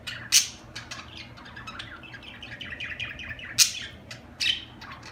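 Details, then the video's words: Budgerigars warbling softly with strings of quick descending chirps, punctuated by three loud sharp squeaks near the start, middle and end; low background hum. "اجمل تغريد في العالم طيور الحب البادجي"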